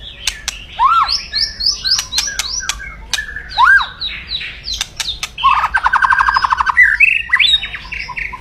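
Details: Aggressive white-rumped shama pouring out loud crackling song to rouse a rival's temper: sharp vertical clicks, high thin whistles, rising loops, then a fast harsh rattle lasting over a second before more whistled notes.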